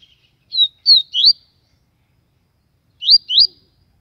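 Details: A captive Yellow-bellied Seedeater from Aracaju, Sergipe, Brazil, sings strongly and loudly: a quick phrase of three high, clear, rising whistled notes, then a pause and two more alike. Otherwise quiet.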